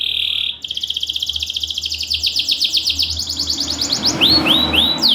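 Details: Caged canary with a loud, tightly spaced song, used to coax idle canaries into singing: a held high whistle, then a long even rapid trill, ending in several rising curved whistled notes.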